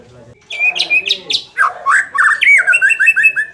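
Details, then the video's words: Song of a White-rumped shama used to make a less aggressive bird more competitive; after a short pause, high upswept notes, then descending slurred whistles and a rippling run of rising phrases. "suara ini dapat mengatasi murai batu kurang ngotot"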